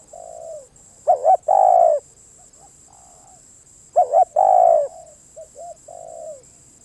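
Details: Spotted dove giving two loud phrases about three seconds apart, each a brisk double coo and a long falling coo. Fainter background coos follow, with a steady high whine throughout.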